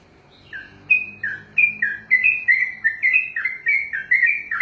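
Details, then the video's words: Sooty-headed bulbul, a kept bird trained for singing contests, giving its long 'ropelan' song: a fast run of short bubbly notes, each dipping then rising, repeated about three times a second after a quiet start. "ROPELAN BURUNG TRUCUKAN TERPANJANG DALAM SEJARAH"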